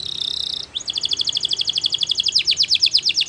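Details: Belgian canary in training song, a short buzzy trill broken by a brief gap, then a steady run of paired bright notes repeated several times a second.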